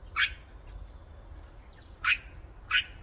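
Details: Solitary cacique song: three loud, harsh, squawky notes, one near the start and two close together near the end, over quiet background with a faint steady high tone.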